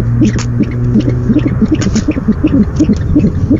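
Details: Night nest recording of an owl, 17 February 2015, as the male brings in the first delivery of the night; brief low notes pulse rapidly and unevenly beneath a droning hum.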